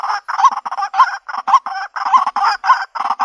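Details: White-breasted waterhen calling as a lure to trap birds in the country: quick bursts of harsh, grating croaks with brief rising hooked notes, about two per second in an irregular run.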